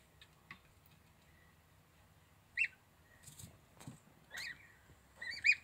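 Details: Little gosling giving sparse high peeps, one clear note, then a few more toward the end, separated by long quiet gaps with soft low thumps and rustling.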